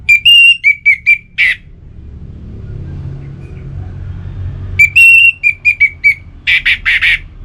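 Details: Orange-headed thrush singing to set kept birds going: repeated phrases of short bright whistles, each run closed by a rasp, the second phrase ending in a string of harsh buzzy notes; low rumble between.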